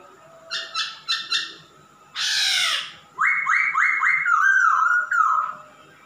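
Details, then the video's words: Male masked laughingthrush singing actively: three short nasal notes, then one long harsh rasp, then a quick run of four rising whistled slurs ending in a wavering whistle. "Kicau burung Poksay Hongkong jantan gacor"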